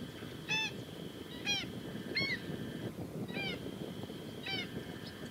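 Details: Female black-winged stilt giving five sharp, nasal, yelping calls spaced about one second apart, each a short downward-bending note, over a steady low rumble of background noise and faint continuous hum.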